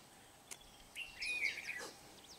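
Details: Red-whiskered bulbul singing as a decoy to lure wild birds into a trap at Kim Bôi, Hòa Bình, Vietnam, 8 September 2019; one clear, rich warbled phrase with a sliding whistled note, plus a few clicks.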